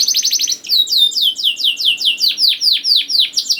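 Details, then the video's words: Singing canary used as a lure for young canaries: a quick pulsed trill, then a steady run of bright, swooping whistled notes repeated roughly four times a second. "KENARI GACOR DOR NGEDUR NGOTOT CUIT CUIT NGEROL AMPUH PANCINGAN KENARI PAUD"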